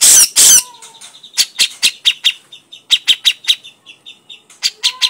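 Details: Grey-cheeked bulbul (cucak jenggot) giving crecetan chatter: a loud harsh burst opens, then sharp dry chips rattle out in uneven bursts, several to a second, with a faint thin whistle beneath.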